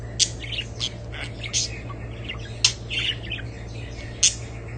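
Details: Budgerigar chirping in bursts, sharp high squeaks about every second mixed with softer twittering notes, against a steady background hum.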